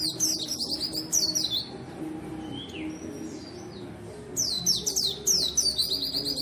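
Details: Vigorously singing white-eye, used to prompt other white-eyes that are reluctant to sing: fast, very high twittering bursts of sweeping notes, about one second each, separated by a quieter stretch with a few thin slurred whistles; a low steady hum underneath.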